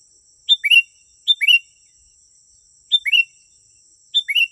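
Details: Sooty-headed bulbul singing, meant to bring wild bulbuls near: four quick phrases of clear, slurred whistled notes, falling then rising, repeated roughly every second or so, with a faint steady high whine.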